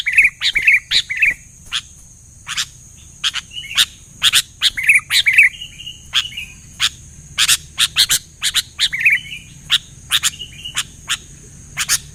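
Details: Sooty-headed bulbul in full voice with other bulbuls responding: a cluster of quick, fluty warbled notes opening, further short gurgling phrases later, among steady sharp chirps about twice a second.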